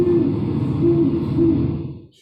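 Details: Great Horned Owl in Sebastopol, heard in the middle of the night, giving three deep, soft hoots about half a second apart over a steady muffled room hum.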